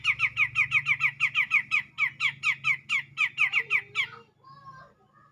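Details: Grey-cheeked bulbul singing to provoke a rival: a run of harsh, squawky notes, about two per second, repeated evenly for four seconds before it stops abruptly. A faint low hum runs underneath.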